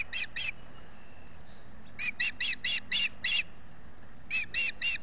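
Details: Osprey calling for fish at the Salt Point nest in the US Finger Lakes on 18 June 2021, solar-powered nest camera; clipped, piercing chirps in groups of two, six and three notes, with quiet gaps between.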